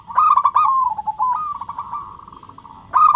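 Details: Perkutut lokal, a zebra dove with a crystal voice, singing to lure silent doves into song: a bright pulsed trill sliding downward, a long run of quick stuttering notes, then a fresh loud burst.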